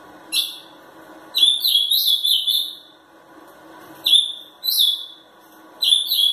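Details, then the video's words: Three-year-old ultramarine grosbeak (azulão), described as angry and singing in a song contest, gives rich, whistled warbling phrases, each about a second long, with short pauses, over a low steady background hum. "Azulão zangado"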